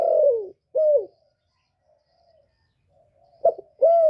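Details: Spotted dove in 'thổ' voice, used to stimulate males. A long falling coo and a short coo end one phrase. A second of near silence holds soft faint notes, then a sharp short note and a level coo start the next phrase.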